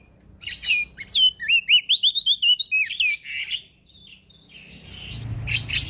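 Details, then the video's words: Actively singing male prinia, recorded to train other birds: a rapid burst of about a dozen clear, rising and falling whistled notes, then softer buzzy phrases and a rustling noise at the end. "Prenjak daun Jantan gacor"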